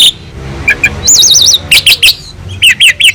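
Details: Actively singing Asian pied starling from a training master recording: a rapid wavering whistled trill, then quick chirps and a series of repeated up-and-down slurred whistles near the end.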